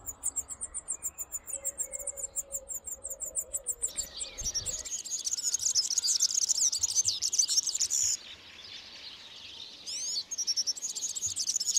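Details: European serin courtship song among olive branches in spring: opens with a fast, even series of very high ticking pulses, then breaks into a dense, jangling, high-pitched cascade of tinkling notes, briefly pausing before resuming.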